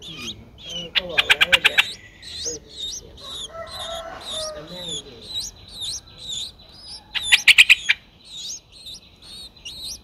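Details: Nine-day-old Streak-eared Bulbul (Pycnonotus blanfordi) nestling, whose eyes opened at 7 days, giving rapid, high, thin begging chirps with two louder harsh bursts, with a faint human murmur; Ubon Ratchathani, Thailand, 11 April 2023.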